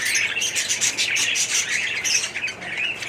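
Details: Aviary budgerigar colony, loud overlapping chirps, squeaks and warbled notes from several birds, no pauses.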